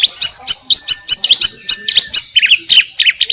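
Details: Greater green leafbird delivering quick, high, scratchy chirps in close succession, roughly three or four per second, with occasional short twittered phrases.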